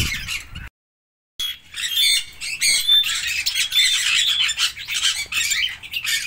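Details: Red-rumped parrot (Psephotus haematonotus), call.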